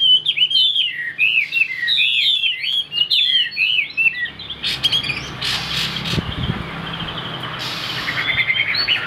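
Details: Chinese hwamei in a cage sings busy, twisting whistled phrases for about four seconds, followed by clattering knocks and rustling noise, then a soft return of song at the close.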